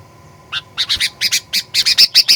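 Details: Sooty-headed bulbul lure song for provoking aggressive singing: after a quiet start, about a dozen rough squawky chirps in quick succession, the last ones ending in brighter whistled tones.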